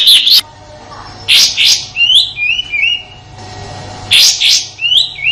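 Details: Sooty-headed bulbul from Indonesia giving a rough 'tembakan kasar' shooting song, used as master song for white-rumped shamas and other contest songbirds: harsh broadband bursts followed by short, clear, downslurred whistled notes, repeated twice.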